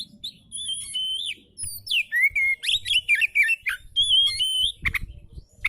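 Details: Relaxed oriental magpie-robin song used to coax quiet birds into singing: clear sustained whistles and wavering, slurred phrases in rapid, fairly steady notes, ending in a brief harsh burst.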